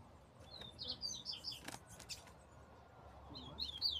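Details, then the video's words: Double-collared seedeater in desmantelo-style song: quick high whistled and buzzy notes in two short bursts, with clicking and tapping sounds in between and a steady low background noise. "coleiro desmantelo"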